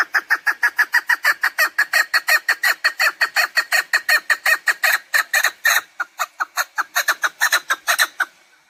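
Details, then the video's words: Chukar partridge call for hunters: a long, loud, unbroken stream of rapid clucking notes that hardly varies, with a slight stumble near the middle. "Овози кабк кеклик калик пение каклик мастак модкабк шикор"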